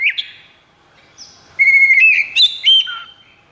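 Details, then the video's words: Caged white-rumped shama in high breeding condition gives a short opening note, then a clear sustained whistle stepping upward into quick warbled notes and a falling final whistle. "KACER KONSLET!"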